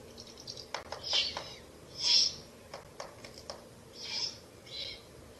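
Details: Owlets at their nest in a ruin during a night feeding on 30 April to 1 May 2024, a rabbit carcass delivered: quick dry bill clicks, some in short bursts, alongside several breathy hissing rasps.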